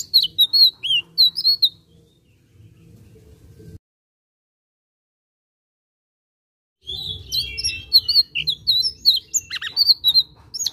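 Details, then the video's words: Blue-eared kingfisher in full voice: bursts of shrill, high, piercing chirps, a pause of about three seconds in near silence, then a busy, overlapping flurry of sharp high notes over faint low hum. "tledekan biru gacor"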